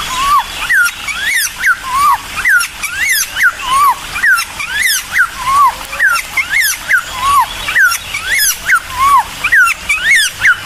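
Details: Bulbul song used to provoke a response from other birds: clear whistled notes rising then falling, each slurred upward and down, repeated steadily about every half second over a hissing background with high clicks.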